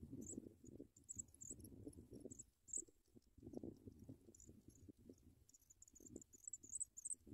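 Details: African pipit nestlings beg with thin, very high squeaks in short bursts while adults feed them at the nest, one adult feeding the wrong chick, over soft low rustling and shuffling.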